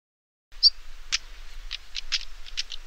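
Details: Common stonechat (Saxicola torquatus; finding: African stonechat) in Parque da Devesa, Vila Nova de Famalicão, Portugal: one thin, high whistle, then a quick run of hard, scratchy 'tak' clicks, about three to four per second, faint low rumble underneath.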